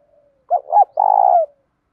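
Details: A spotted dove coos 'thúc dút', a 'đồng' voice mixed with a little 'thổ', played to train and provoke doves; a faint lead-in, two brief hoots, then a long tremulous coo that dips at the end, otherwise quiet.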